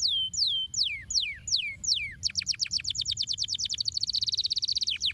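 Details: Canary song used to stimulate other canaries to sing: a few slow, sweeping whistles falling from high to lower pitch, then a fast run of rapid repeated high notes rising into a dense trill at the end.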